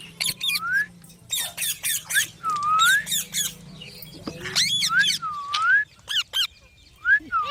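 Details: Green parrots talking: harsh squawks mixed with looping whistled notes that dip and rise, sharp clicks and short bursts in between, uneven pauses throughout.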